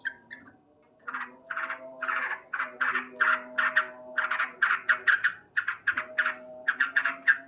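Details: Loud morning song of a male yellow-vented bulbul, a steady stream of rapid, rhythmic chattering notes, about three per second, after a brief pause at the start.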